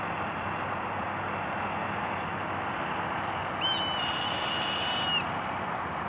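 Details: Hawk giving a single piercing cry, a drawn-out, high, slightly wavering scream lasting about a second and a half. A constant loud rushing roar, like wind or traffic, fills the whole recording.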